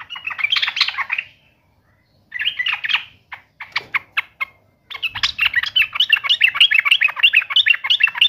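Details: Yellow-vented bulbul singing aggressively at a rival: short bursts of bubbly chatter, a few sharp separate notes, then a long, continuous run of rapid, rollicking warbled notes.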